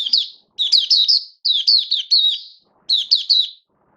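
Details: Singing caged oriental white-eye (mata puteh), hobby bird, recorded 19 September 2022: bright, high-pitched phrases of fast warbled notes, four bursts with short silent gaps.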